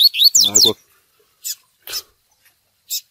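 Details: Double-collared seedeater with a "tui tui" song used for training: an opening run of quick, high, sweeping whistles, then scattered short chips. A brief low voice-like sound overlaps the end of the opening phrase.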